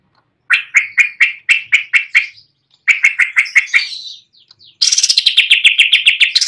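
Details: Greater green leafbird singing steadily from a perch: evenly spaced bright chips delivered in bursts, the last a rapid, dense, high chattering series.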